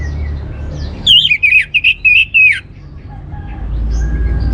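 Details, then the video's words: Orange-headed thrush, a song lure to make birds sing steadily. It delivers a fast string of rich, wavering whistled notes in five or six pulses lasting about a second and a half, with low hum beneath. "ANIS MERAH Cor Suara Penggoda Membuat Burung Kenceng Jadi Ngeplong Lanjut Teler"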